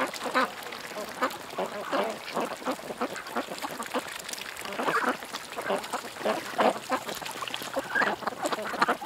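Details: A flock of ducks at a creek keeps up a steady, busy clamour of rasping quacks, calls overlapping constantly with uneven timing throughout.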